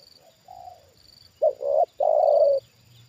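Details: Decoy spotted dove reacting to a wild bird lured down a second time; a faint soft coo first, then one loud phrase of a broken double coo and a long steady low coo, over a thin constant high hum.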